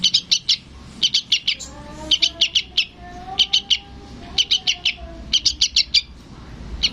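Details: Sooty-headed bulbul chick calling its parent: bursts of three or four short, sharp high chirps repeated in quick clusters about every second, with faint lower whistled notes from other birds in the background.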